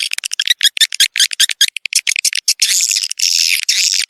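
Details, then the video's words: Swiftlets recorded as a lure for young birds entering a new nesting building: quick staccato chirps in rapid succession, then longer rasping, buzzy calls toward the end. "suara walet terbaru 2021"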